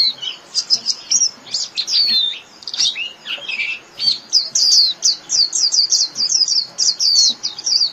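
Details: Japanese white-eye singing to call its flock: a lively run of high, thin twittering notes, many sliding downward, tumbling quickly with short gaps and bright chirps throughout.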